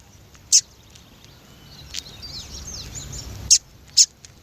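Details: Female yellow-bellied seedeater calling to attract a male: short, sharp high chips, single or in pairs, with a faint high twittering chatter between them.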